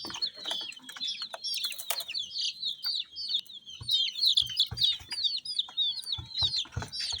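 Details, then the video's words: Colourful domestic chicks chirp in a busy, overlapping chorus of high, piercing peeps, each note bending downward, while occasional low thumps sound below. "Chicks Chirping"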